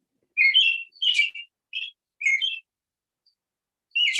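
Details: American robin (Turdus migratorius) song, remembered as "charlie cheer up": short, clear, warbled whistled phrases, rising and falling, about every half second with brief pauses between them.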